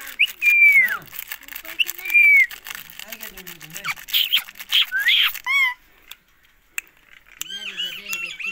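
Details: Ring-necked parrot from Pakistan: two drawn-out squawks that rise then fall, a burst of harsh, grating screeches, a short pause, then softer repeated chattering calls.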